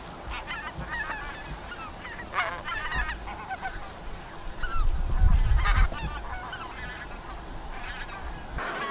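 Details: A flock of wild geese in Korea honks in quick, overlapping nasal calls, several each second, over a low rumble of wind or distant noise.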